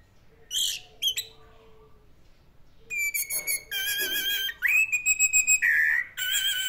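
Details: Orange-headed thrush, locally anis merah, in classic-style song. A few high chirps lead into sustained, pure whistled notes with rich overtones, some held, others broken into quick pulses.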